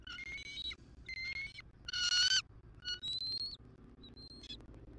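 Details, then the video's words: Nesting bald eagles in Southwest Florida, 6 November 2023, seen on a nest camera: the female calls out for a nest shift change and her mate answers. Series of high, thin harmonic piping notes, several upslurred, the loudest burst in the middle. "F23 CALLS OUT! 🦅📢 MR. MOM RESPONDS!"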